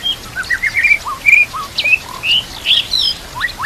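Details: White-rumped shama song recorded as a master for training other shamas, with nature sounds and flowing water: varied whistled phrases, rising and falling, delivered in short bursts.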